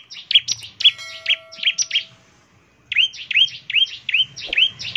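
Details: Prolific bar-winged prinia delivering rapid 'ngebren' song meant to coax other prinias into singing; quick stuttered high chirps, a short gap, then a run of upward-swooping whistled notes, with a faint low hum beneath.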